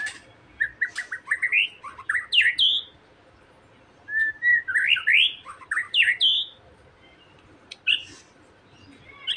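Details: Song of a White-rumped shama played to trigger another shama to sing: bursts of varied, rich whistled notes, rising and falling sweeps, and sharp chips, separated by short pauses.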